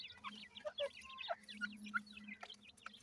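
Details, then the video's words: Grey francolin chicks while feeding; soft high peeping and chirping notes, scattered and irregular, with a low steady hum underneath. "irani teetar chicks feeding, bhura teetar k bachay"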